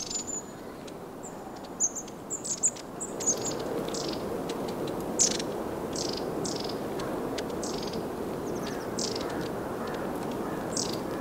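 Long-tailed Tit giving very high, thin, short see-see notes in scattered bursts over a steady rushing hiss, likely wind or water.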